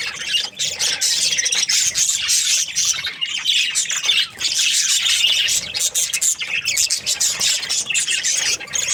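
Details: Many budgerigars from breeding pairs of this Australian parrot chatter loudly in a constant, high, scratchy warble mixed with sharp squawks, with slight dips in volume.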